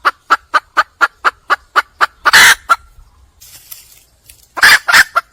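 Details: A wild red junglefowl hen seeks a male: a brisk series of about ten clucks, then a harsh squawk. After a quiet pause come further loud, raspy squawks with clucks.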